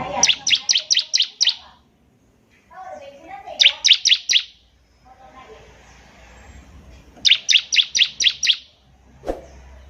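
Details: Bar-winged prinia in full song, a recording meant for tutoring young prinias learning to sing: three bursts of six sharp, high, clipped notes in quick succession, separated by pauses with soft low chatter beneath.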